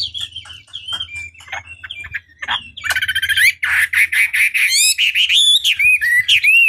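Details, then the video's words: Chinese hwamei lure song to stir rivals into answering: scattered short calls and chips build into dense, buzzy, rapid bursts, then loud rolling whistles that rise and fall. "Pancingan Masteran Wambi Durasi Panjang Efektif Pancing Lwan Agar Nyaut Emosi Gacor"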